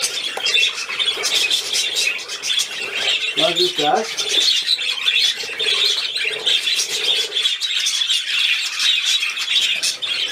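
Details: Budgerigar playing, 13 December 2019: continuous shrill chirping warble with scratchy squeaks, and a brief human voice near the four-second mark.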